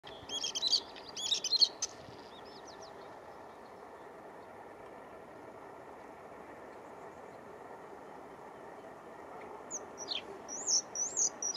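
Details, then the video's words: Bluethroat in spring singing two bursts of high, varied, rapid twittering phrases separated by a long pause, over a steady soft background hiss. "Весенняя трель варАкушки."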